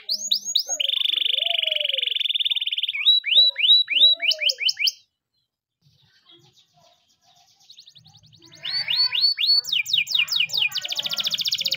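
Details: Canary morning training song: a steady buzzy roll followed by looping whistled notes, a silent pause of a few seconds, then fast repeated sweeping tours.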